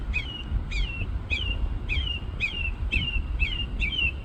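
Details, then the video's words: Single small bird singing from a treetop in a store parking lot: a clear two-part phrase, a sharp upswept note then a falling slurred whistle, repeated about every half second, over low traffic rumble. "Bird Singing Its Little Heart Away"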